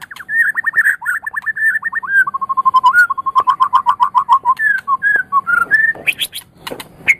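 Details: White-rumped shama of the Medan type, a champion-quality bird used to stimulate other birds to sing: rich whistled song with long rapid trills of repeated notes, shifting between pitches, ending in high sharp flourishes.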